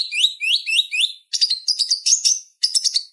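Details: Purple-throated sunbird (konin) song used to train other songbirds: a series of four rising-falling slurred notes, then a fast, scratchy, high twittering chatter in two bursts.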